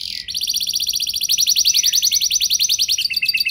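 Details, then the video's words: Canary song used as a lure to prompt other canaries to sing long rolls; a rapid, steady roll of high buzzy trilled notes, shifting to a slightly lower, fast-pulsed phrase near the end. "Pancingan Burung Kenari Biar Ikut Gacor Ngeroll Panjang! Pasti Nyaut Kenari Mana Saja Dengan Ini"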